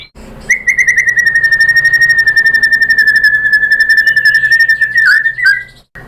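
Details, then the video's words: White-rumped shama lure song meant to draw a reply. A single long, fast, buzzy trill holds steady for about five seconds and ends in a quick upward flourish. "PANCINGAN MURAI BATU BIKIN EMOSI JADI NYAUT GACOR BONGKAR MATERI ¦ SHAMA BIRD"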